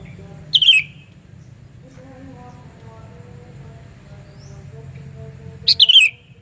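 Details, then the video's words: Piercing lure call of a Sooty-headed bulbul, given twice about five seconds apart, each a short sharp chirp sliding downward, with quiet faint background tones between. "Panggilan Burung Kutilang Suara Nyaring Keras, Cocok Buat Pikat Kutilang Anda"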